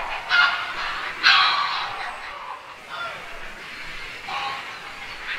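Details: Grey heron giving loud, coarse, honking croaks. Two strong bursts come early, followed by softer, rasping calls spaced a second or so apart.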